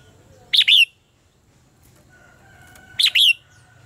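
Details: Singing-contest phrases from a red-whiskered bulbul, intended as training lure song. Two brief, loud, swooping whistled phrases roughly two and a half seconds apart, with a faint steady tone in the quiet between.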